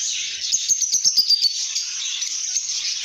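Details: Lovebirds in good spirits: high squeaky twittering with a run of about a dozen rapid, sharp clicks or taps in the first half. Steady chirping follows.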